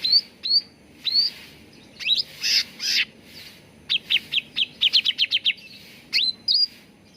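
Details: Cucak ranting bulbul song used as a lure and training recording so that birds sing readily: sharp upswept whistles, two buzzy bursts, then a fast run of short chirps and closing rising whistles.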